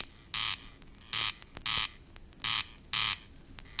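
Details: A corncrake in the water-meadows and coastal pastures of Matsalu, Estonia, in a 1979 field recording gives dry, rasping crex notes, each a harsh buzzy burst, repeated roughly every half second to second against quiet hiss.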